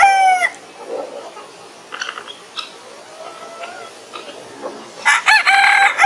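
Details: Rooster crowing at dawn. A long harmonic crow fades out at the start. Quiet clucks and rustling follow, then another loud, ringing crow closes the recording.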